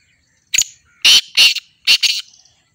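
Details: Black francolin (kala teetar) calling: one loud, harsh, grating phrase of about five rasping notes over two seconds, a short clipped note, then paired longer buzzy notes, against a quiet background.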